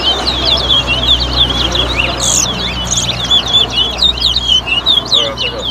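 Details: Towa towa (chestnut-bellied seed finch) at a 2022 bird whistling competition at a bird club in Better Hope, Guyana: a fast, continuous twittering warble of sweeping high notes, with a low hum beneath.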